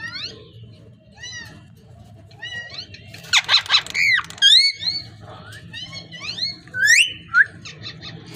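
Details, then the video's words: Parrot calling indoors with repeated short rising whistled notes, a dense noisy burst in the middle, then swooping squeaky whistles and chatter. "Amazing parrot talking and voice"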